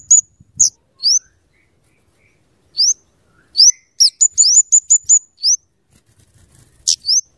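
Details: Scarlet-headed flowerpecker, locally kemade or cabe cabean, singing briskly as a luring and tutoring recording: thin high upslurred ticks and sharp sweeps, then a rapid close-set chattering run, with silent gaps between bursts.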